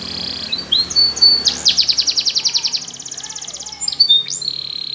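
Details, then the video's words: Russian canary flute song used to train canaries: a few whistled slurs, then a long rapid trill of looped notes slowing into finer pulses, ending in sharp upward whistles and a steady held tone. "RUSSIAN Canary Flute Singing !! Best Canary Training"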